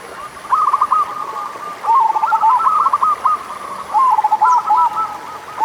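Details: Local zebra dove song used as a lure to get reluctant doves singing: rapid bursts of soft, rolling cooing notes, each phrase a quick stuttered run ending in a drawn-out note, repeated about every two seconds, with a faint high hiss behind.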